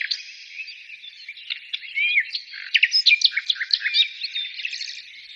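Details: Soft background twittering gives way to louder bird song with sharp chirps, short slurred whistles and scattered warbled notes, peaking in the middle before fading.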